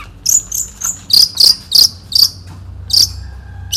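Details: Long-tailed shrike, a 2016 national champion songbird singing in the single-point style, delivering harsh, buzzy high notes repeated about every quarter second with short gaps.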